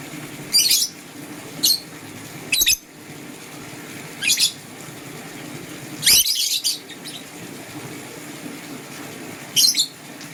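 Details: Morning chirping from green and blue lovebirds: scattered sharp, high squeaky chirps every second or two, with a few dull clicks and knocks between calls over low room noise.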